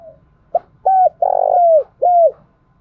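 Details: Tame captive spotted dove used as a decoy, calling and provoking wild doves: a short note, then three low, hollow coos, the long middle one ending in a gliding fall. No other sounds are heard.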